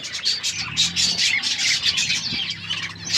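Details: Many budgerigars chirp together in loud overlapping warbles and short whistled notes, over a steady low mechanical hum.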